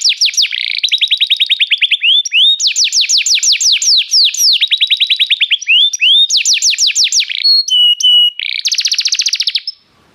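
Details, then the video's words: Restless canary in full song: alternating rapid rolls and loud downslurred whistle series, brief pure tones, and a dense buzzy trill before the song stops. "o canário cantava inquieto"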